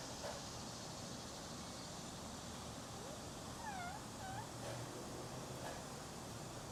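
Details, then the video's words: A female parrot vocalising to her reflection: a quiet cluster of dipping, harmonic chirps around the middle, heard over constant room hiss with faint low thumps. "Parrot 🦜 talking to her reflection"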